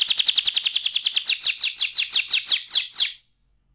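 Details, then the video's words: Young canary singing a rapid trill of short descending notes, fast at first then slowing, about three seconds long, ending abruptly with a brief high note. "ampuh membuat kenari muda gacor"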